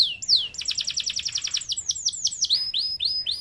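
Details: Canary delivering energetic 'gacor' song with an ornate style. A sweeping note opens a rapid run of falling trilled notes, which slows into a series of clear, rising whistled notes.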